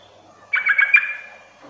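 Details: Single short phrase of four quick, bubbly, slightly rising notes from a yellow-vented bulbul, played to coax other bulbuls into calling back, over faint background hiss.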